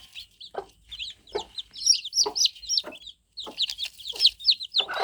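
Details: Newly hatched fluffy chicks cheeping together: many short, high, bright peeps, often rising or falling, tumble over each other almost continuously, with soft dull knocks underneath every second or so.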